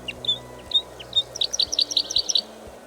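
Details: Red Crossbill in Poland giving sharp, high 'kip' calls: three spaced notes, then a quick run of about eight clipped notes.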